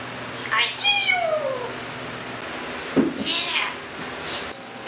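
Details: Rescued Timneh African grey parrot, a pet that says many things and makes countless sounds, giving drawn-out, harmonic, meow-like wavering calls that slide downward, followed by a shorter burst, against room noise.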